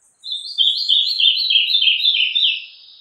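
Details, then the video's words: Ultramarine grosbeak, known as azulão, singing Meia-noite: a quick, even stream of loud warbled high notes running for nearly three seconds, slightly descending, with no other sounds. "Azulão Meia-noite"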